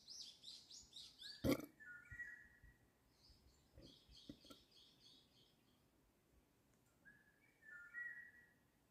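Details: Spring birdsong in Seoul: quick, high chirping notes open the recording. A sharp knock follows, then more chirp series and short whistled phrases, the last one near the end.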